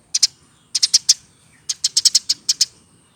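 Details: Eurasian tree sparrow raised by hand from a chick, aged over one year: a brief pair of sharp chips, then quick runs of four and eight high, clipped notes in close succession.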